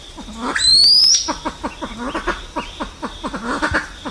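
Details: Silver pheasant flock call: a loud, rising high whistle opens, followed by a brisk series of low, falling clucks repeated several times a second.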